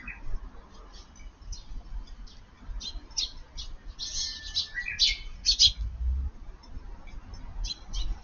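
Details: Eurasian tree sparrows feeding in a garden at midday in light rain, June 20; scattered short high chirps, clustered and louder in the middle, over a low steady rumble of rain.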